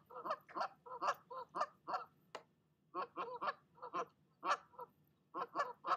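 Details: A nesting goose warns off another goose with rapid runs of harsh, brassy honks, a brief lull, then renewed volleys of loud calls.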